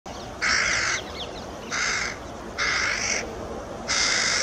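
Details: Young carrion crow on Buck Hill, one of a pair's two young, noisily begging food from a parent: four harsh, nasal, drawn-out caws, each about half a second, irregularly spaced, over soft hiss.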